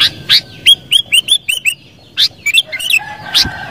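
Sooty-headed bulbul giving a bright, bubbly run of short liquid notes, about five in quick succession, then a few more chirpy phrases after a pause.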